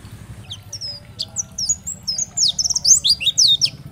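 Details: Oriental white-eye ('dakbal' pleci) song meant to trigger other white-eyes to answer. Sparse thin whistled notes open, then quicken into a dense cluster of high sliding chirps; steady low background hum.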